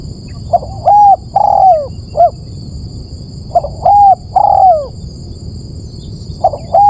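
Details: Spotted dove call used as a lure to attract birds: soft cooing phrases of a short note, a longer level hoot and a drawn-out falling coo, repeated in groups every few seconds over a steady high electronic whine.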